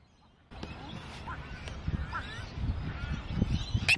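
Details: Australian wood ducks having a little argument in the Melbourne suburbs, Victoria, Australia: after half a second of quiet, nasal, rising-and-falling calls repeat amid low rumbling background noise, ending with a sharp, high note.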